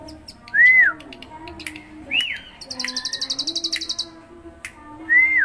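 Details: Bar-winged prinia in energetic ngebren-style song: clear arched whistled notes, rising then falling, spaced out across the phrase, with a fast buzzy trill of about a dozen pulses in the middle.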